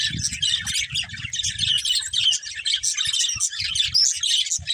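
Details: Several budgerigars in a family group twitter rapidly, bright high chirps and squeaky warbles in quick succession, with repeated low thuds and scuffling below.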